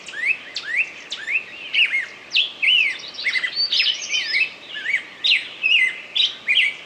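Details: Singing bird: clear rising and falling whistled slurs mixed with sharp chirps and short trills, delivered in separate phrases about every half second over soft background noise.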